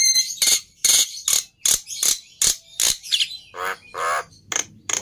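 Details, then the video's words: Harsh, scratchy notes repeated rapidly from a Black-winged myna, broadband rasps at an uneven beat, ending with two longer nasal buzzing notes. "Suara Burung Jalak Putih Istimewa"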